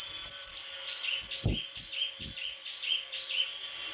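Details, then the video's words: White-throated flycatcher delivering a chain of high sliding whistles at a steady quick pace, fading toward the end over a soft hiss. "Sikatan krongkongan putih suara gak kalah sama burung kicau lain"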